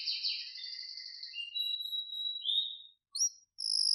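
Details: Quiet canary singing with a warbled roll fading into thin separate whistles, a brief gap, and a rising high note.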